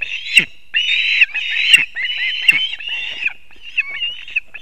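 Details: Ospreys at a Latvian nest in Kurzeme at 6:40 am on 3 September 2024, the father arriving with two fish for the young; long piercing whistled squeals in drawn-out bouts, broken by brief pauses and faint knocks.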